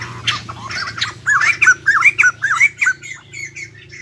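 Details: Caged, freshly caught white-crested laughingthrushes: a rapid run of hoarse, looping squawks repeated about twice a second, strong at first and fading toward the end.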